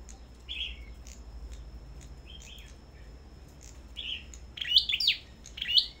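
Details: Red-headed songbirds at a bird farm singing in competition: short, sharp chirps and twittering notes, scattered about once a second and louder near the end, over a thin steady high whine and low background rumble.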